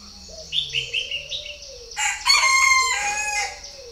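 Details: Purebred Chinese francolin calling: a loud, harsh, grating burst of rich stacked notes, delivered as a rapid ringing series lasting about a second and a half, after softer chirps from other birds and a low cooing in the background.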